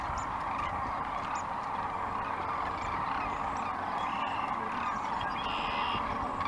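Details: Massed chorus of Sandhill Cranes, about 10,000 during spring migration along the Platte River near Gibbon, Buffalo County, Nebraska, in the morning: countless rolling, trumpeting rattles blending into a steady, dense roar with no break.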